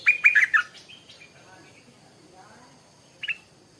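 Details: Stripe-throated bulbul in the morning: a quick burst of four bubbly notes, then quiet, and a single short note near the end.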